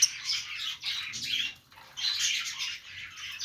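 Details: Playing budgies chirping happily, their busy overlapping warble and squawky chatter broken by a short near-silent pause in the middle before the noisy chorus resumes.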